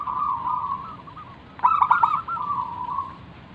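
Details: Lure zebra dove of local stock sings to prompt other doves: soft continuous rolling coos, broken by a loud stuttered burst of clipped notes, then more gentle purring cooing.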